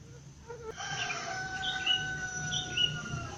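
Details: Birds calling in the wild at 5 a.m. while it is still fairly dark. A long, steady, harmonic crowing note lasts about three seconds, with short high chirps from other birds over it and a low background hum.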